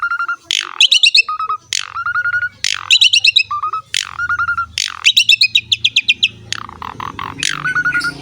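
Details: Asian pied starling song for training and luring starlings: repeated phrases of a harsh squawk, a burst of rapid chattering notes and a level low whistle, cycling roughly every second.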